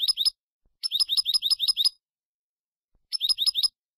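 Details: Málaga-style European goldfinch song for teaching young birds, 2022/2023: quick series of rising, bright slurred notes, six or seven in a row, repeated after brief pauses.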